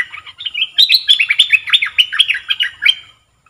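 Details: Caged red-whiskered bulbul used to lure wild birds. It sings a sustained, energetic string of chattering, rolling whistles, roughly three seconds of tightly packed rising and falling notes.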